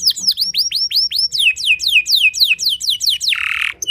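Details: Canary in full song, the kind said to upset rival canaries: a rapid run of repeated down-slurred whistles that ends in a rough, buzzy rattle.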